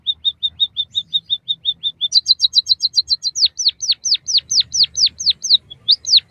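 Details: Captive-bird training song of a white-headed munia: a regular string of short level notes, then faster doubled high chirps, then a long run of sharply downslurred whistles repeated about twice a second.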